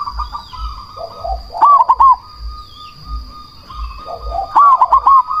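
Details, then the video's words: Cemani zebra dove, a loud lure bird for provoking rivals to answer and raising breeding drive, repeats a quick phrase of three or four hollow hooting notes twice, about three seconds apart. Other doves coo faintly behind. "Perkutut cemani gacor suara BESAR pancingan ampuh bikin lawan langsung nyaut"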